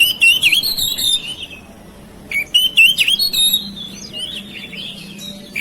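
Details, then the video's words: Household oriental magpie-robin song meant to lure silent magpie-robins into singing: quick fluty whistles and twittering phrases at the start and middle, then softer wavering whistles trailing off. "KICAUAN KACER RUMAHAN MEMANCING SUARA KACER YANG BISU MACET"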